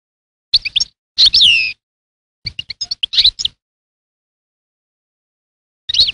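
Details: Scattered twittering phrases from a European goldfinch: a couple of rich slurred notes, a string of small chips, then a long silence before one last brief twitter.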